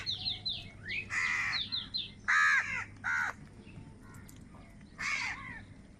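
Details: Crows fighting for food give four harsh, hoarse caws spread over six seconds, each rising then falling, after a run of thin chirps from small birds at the start and a steady low hum underneath.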